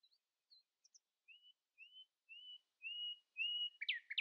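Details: Common nightingale singing in the early morning, not letting rivals outsing it: a series of whistled notes, each longer and louder than the last, swelling to a crescendo and ending in a sharp harsh flourish.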